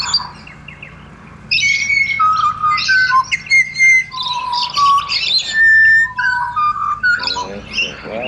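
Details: Pied butcherbird serenade from Australia. After a quiet start, a rich sequence of mellow whistled notes follows at shifting pitches, mixed with brief higher chirps and a buzzy rasp near the end.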